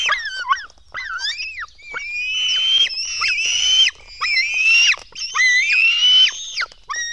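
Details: Black stork nestlings being fed in a Latvian nest at 04:53, 24 June 2016: wavering, looping squeals that build into loud, level, harmonic screams about a second long, repeated with short gaps.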